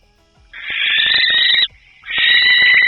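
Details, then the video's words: Barn owl giving its eerie night scream: two long, harsh, hissing screams, each about a second long with a short gap between, rough and breathy with no tonal hoot. "Barn Owl. That eerie scream gives it away."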